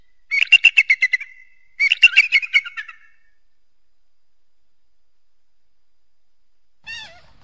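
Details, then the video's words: Eagle calling in two quick bursts of shrill chattering notes, followed by a long silence and then a short wavering squeal. "eagle and its distinctive voice"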